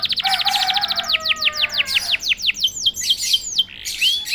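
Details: Canary singing right after being prompted once: a fast run of repeated high downward-sweeping notes, then slower, wider swooping whistles, ending in a rising whistle; a low steady tone runs beneath the first seconds.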